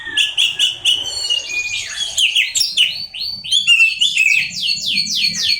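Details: Oriental magpie-robin, a kept songbird, singing: a few clear whistled notes, then a long run of rapid, repeated downward-slurred high notes forming an energetic rolling trill.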